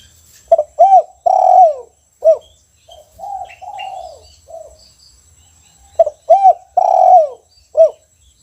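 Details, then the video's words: Caged spotted dove singing in the 'kuk 1' style, in full voice: low, mellow cooing phrases of a short note followed by drawn-out, wavering coos, two phrases about five seconds apart, with a faint steady high hum behind. "Suara Tekukur Kuk 1 Gacor Disangkar"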